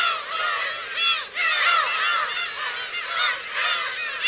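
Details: Black-tailed gulls, adults with chicks, Kurosaki coast, Teuri Island, Hokkaido, 17 June 2021; loud bursts of nasal, arching cries from several gulls overlap, with brief dips between louder groups.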